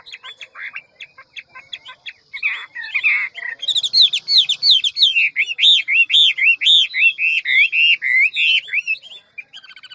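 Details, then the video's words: Fast-beaked ngũ trường Hwamei with a many-voiced forest song: scratchy chattering opens, then a long rapid sequence of bright looping whistles at a steady quick beat. "Họa mi ngũ trường giọng rừng mau mỏ nhiều giọng"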